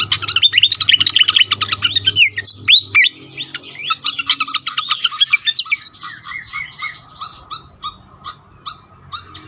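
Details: Pied fantail calls from a bird-luring track: dense, fast squeaky chatter of high notes that thins into a steady series of short, sharp chips repeated several times a second, over a faint low hum.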